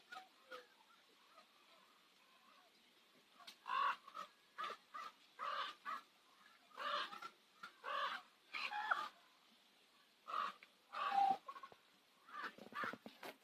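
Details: Common ravens at sunset on Nose Hill, Calgary, giving a run of rough, grating croaks after a quiet start, about a dozen loud calls spaced irregularly, some doubled, with faint softer notes between them.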